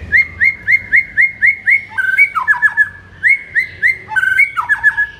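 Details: White-rumped shama morning song, played to stir up a kept shama: a run of about eight clear, rising whistled notes repeated quickly, then a burst of fast descending slurred notes. The whistle series and slurs come back once more.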